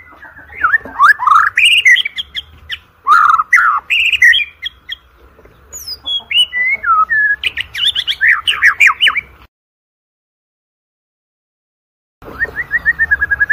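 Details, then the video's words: White-rumped shama singing, used as a lure to train shamas for song competitions: a fast, varied run of loud whistles, rising slurred notes and harsh chattering bursts, a three-second silence, then rapid repeated upslurred whistles. "OCEHAN MURAI BATU PALING EDAN, COCOK UNTUK PANCINGAN MURAI BATU UNTUK LOMBA"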